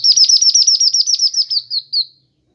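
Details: Kinoi bird song from a master recording used to train and lure birds: a fast series of about seventeen high, sharp, downslurred chirps at an even pace, slowing and fading toward the end, over a clean, quiet background.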